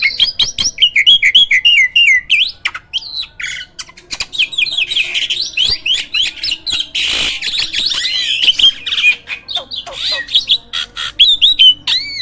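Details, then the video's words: A caged hybrid jalak that sings constantly, used to tutor other birds. A long energetic medley of looping whistles, sharp clicks, rasping bursts and varied warbled phrases with barely a pause. "JALAK HYBIRD GACOOR!! MASTERNYA PARA JUARA."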